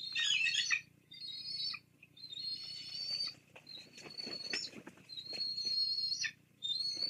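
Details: Wild Bald Eagle chicks at a Fraser Point nest, picked up by a live nest camera on 17 April 2022, beg as their mother feeds the two of them a fish the male brought. Thin, high whistled peeps come in drawn-out bursts, with rustling and pattering between them.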